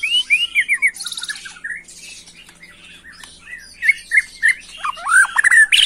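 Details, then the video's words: Agitated young white-rumped shama singing in macul style: harsh buzzy squawks and rattles mixed with quick whistled slurs, growing louder and denser toward the end. "Murai Batu emosi Gaya MACUL‼️pancing emosi BuruNG Muda"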